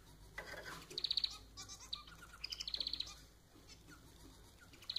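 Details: Pet society finch, Lonchura striata domestica, singing: short bursts of high, rapid chirping trills repeated through the clip, with faint lower notes and background hiss.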